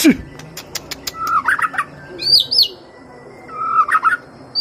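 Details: White-rumped shama lure song: a run of sharp ticking clicks, then a warbled mid-pitched phrase, high looping double whistles, and the warbled phrase again, with quiet gaps between.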